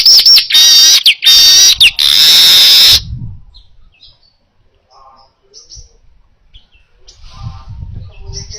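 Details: Weaver singing clearly for use in training other birds: quick chattering bursts leading into a sustained harsh buzzy wheeze, then near silence with faint distant chips.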